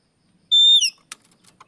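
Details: Oriental magpie-robin singing in the afternoon, its song used as a lure to train other birds. One loud, pure whistled note is held level, then slurs sharply downward, followed by a few faint clicks.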